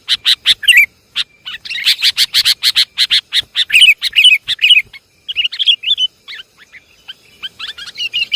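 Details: Sooty-headed bulbul lure call, Javanese type: a rapid series of harsh, scratchy chattering bursts, then softer, scattered bubbling whistles.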